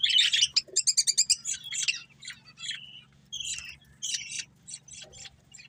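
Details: Budgerigar breeding pair chirping: rapid bright high warbles and twittering notes, a quick burst of repeated chirps near the start followed by scattered short whistled calls, with a faint steady low hum beneath.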